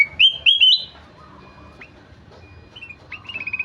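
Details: Ruby-throated bulbul singing vigorously: three loud, sharp whistled notes climbing in pitch open the clip, then a quieter stretch of soft notes, ending with a fast run of even, chattering whistles.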